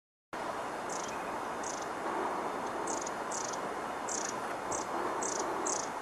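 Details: Long-tailed tits at Lake Tanzawa, Japan, on 16 March 2014 give thin, very high, short calls, about eight in six seconds at an uneven pace, over a steady rushing background like water or wind.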